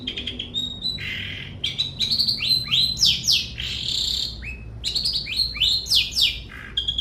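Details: Long-tailed shrike giving a rapid, varied song: chirps, buzzy notes and quick slurred whistles tumble over one another almost without pause. Many short notes sweep up and down at a fast, uneven pace.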